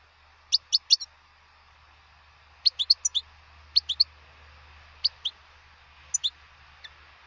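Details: Wild European goldfinch repeating quick high chirping phrases of two to four clipped notes, separated by pauses of about a second, with a steady low hum behind.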